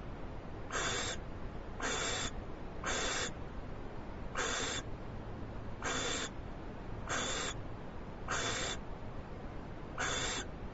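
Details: Harsh, breathy hisses from an owl being brought a large treat, live camera, 21 February 2011: eight short bursts roughly every 1.2 seconds, fairly steady, with a faint low hum beneath.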